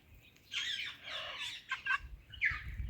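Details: Talking ringneck parrot greets an Alexandrine parrot with a quick burst of raspy, speech-like syllables, a couple of clipped notes and a final short squawky phrase.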